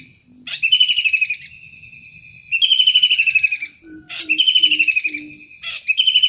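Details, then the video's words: Wild kingfisher calling actively: harsh, pulsed, buzzy chattering bursts lasting under a second, repeated roughly every one and a half seconds. A steady high whine runs throughout, and short low hooting notes sound between bursts. "Tengkek udang gacor asli alam liar"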